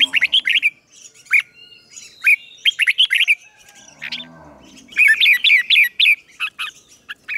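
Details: Red-whiskered bulbul used as a decoy bird, singing to lure rival birds in to fight: bursts of short, bright, warbling whistled phrases in quick runs, with pauses and a brief low rumbling sound in the middle.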